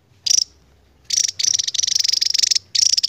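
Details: Javan tesia, endemic, giving its extended 'ngebren' song. A short high buzz comes first, then a long, rapidly pulsed, piercing trill lasting about a second and a half, then a fresh burst.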